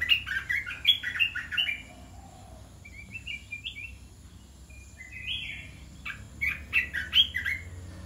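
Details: Red-whiskered bulbul in a cage, singing in a blend of the 'dok taeng' and 'ta daeng' styles: quick chirpy bursts, a quieter stretch of short whistles, then more rapid bright chirping notes.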